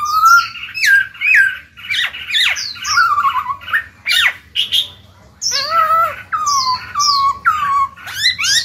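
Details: Black-throated laughingthrush kept in a cage, its song meant to spur freshly caught birds into singing; rapid tumbling mix of sharp downslurred whistles, buzzy notes and mellow warbles with a brief pause midway.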